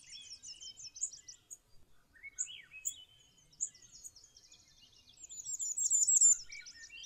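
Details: On its territory in Maine's boreal forest, a preening Bay-breasted Warbler sings a high, thin, rapid run of repeated notes that builds louder near the end, among scattered sharp chirps and slurred whistles from other birds.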